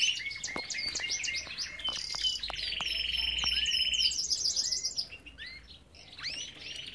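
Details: Belgian canary singing in an aviary: bright whistled notes and buzzy trills, with a steady rattling roll held for about two seconds in the middle, other small birds chirping around it.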